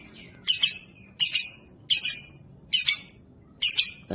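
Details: Shrill, grating double squawks from a lovebird, five in a row spaced evenly under a second apart, loud against a quiet background.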